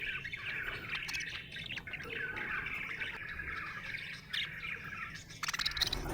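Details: Budgerigar chirping happily, with a rambling warble of soft twitters and scratchy notes, broken by sharper clicking bursts toward the end.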